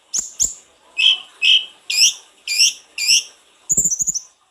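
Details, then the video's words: Snowy-browed flycatcher singing in lively full-repertoire style, used to stimulate singing: high thin paired notes, then upswept whistled notes about twice a second, ending in a fast twittering trill, with sharp clicking noises between phrases. "Burung sulingan gunung gacor full isian,cocok buat pancingan sulgun anda"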